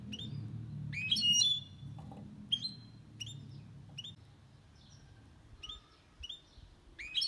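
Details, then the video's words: Goldfinch and canary hybrid song, described as clean and error-free for stimulating males and training young birds: short bright upswept chirps, some in quick clusters, spaced irregularly, with a faint low rumble early on. "Mixto de Jilguero Cantando Limpio 2022 para Estimular"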